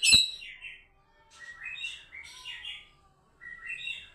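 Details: Song of a white-rumped shama, opening with a sharp click, then quieter whistled phrases that rise and fall in short groups separated by brief pauses.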